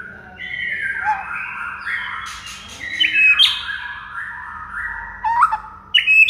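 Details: White-rumped shama (murai batu) masteran song meant to prompt silent shamas to sing; varied whistled phrases sliding between mid and high pitches, with sharp high accents near the end.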